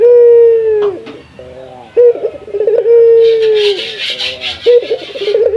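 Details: Local male Barbary dove (puter) calls a rival with long, level, mid-pitched coos broken by shorter stuttering notes. Broad hissing noise rises partway through.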